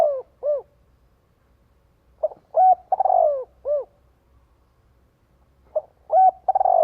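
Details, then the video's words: A spotted dove calls to draw in and gather other doves. A phrase ends with two rounded coos, then a full phrase follows: a brief note, a coo, a rapid rolling stutter dropping in pitch and a closing coo, before another begins. "Tiếng chim cu gáy kích bổi gọi bầy hiệu quả."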